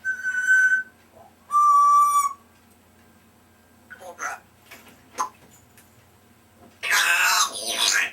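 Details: A pet African grey parrot, three years old and said to talk a lot, gives two pure steady whistles, some quiet clicks and mumbles, then a loud harsh squawk at the end.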